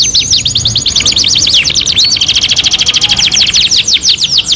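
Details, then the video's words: Loud canary song for tutoring other birds: a tumbling mix of swooping notes turns into a very fast, even trill of short repeated notes, over three per second. "MASTERAN KENARI 2 IN 1 | CANARY SINGING"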